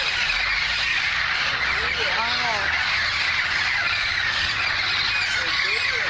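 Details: Wild parrots, a flock of 100+ green birds packed into a Burbank front-yard tree, fill the air with constant shrill chattering and squawks; a voice briefly cuts through the noisy chorus.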